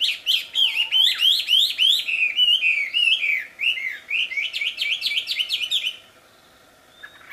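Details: Wild wambi pouring out a fast, loud song of rhythmic, hooked whistled notes, about three or four each second, ending abruptly in quiet.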